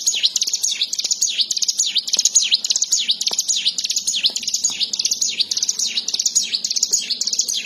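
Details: Plain prinia (ciblek sawah) singing vigorously: a fast, unbroken run of high, thin, sharply inflected chirps repeated almost twice per second in a steady, buzzy chatter.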